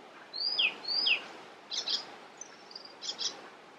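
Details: Icterine warbler song, recorded on 27 June 2021 in Västerbotten. Two high whistled notes with downward slurs give way to harsh, scratchy doubled notes and a thin, faint whistle between them.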